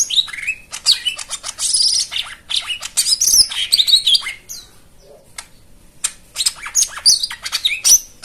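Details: High, fast chattering white-eye song with a rich fill-in, used as a lure for birds that no longer sing: scratchy trills and bright whistled notes, a short lull midway, then renewed bursts.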